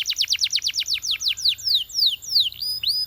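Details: Belgian canary singing to encourage other canaries to sing: rapid trills of downward-sweeping high notes, slowing into longer descending slurs and a few rising whistles.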